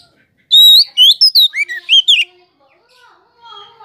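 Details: A rapid phrase of loud, sharp whistles from an Oriental magpie-robin (kacer), whose voice is said to rouse other kacers. The slurred notes rise and drop over under two seconds, then fade to faint soft chirps.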